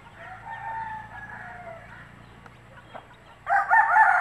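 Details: Country hen calling chicks to food: a soft, drawn-out murmur for two seconds, a quiet gap with small clicks, then a sudden loud, harsh burst of clucking at the end.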